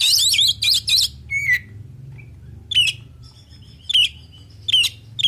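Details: Full 'isian' song of an oriental magpie-robin, sung to draw replies from other birds. It opens with a dense run of buzzy chattering notes, then gives clear descending whistles and sharp high slurs at intervals over a low background hum.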